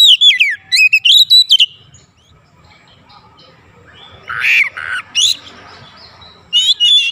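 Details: Kacer (Oriental magpie-robin) lure song for triggering other birds' singing: opening run of quick, swooping whistled notes, then a pause and rasping harsh calls, ending with another short bright whistled burst.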